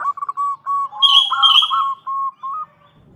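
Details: Local female zebra dove calling a male as a lure: clear, clean phrase of short rhythmic coos, several separate notes then a rolling middle section, with a thin high whistled tone overlaid.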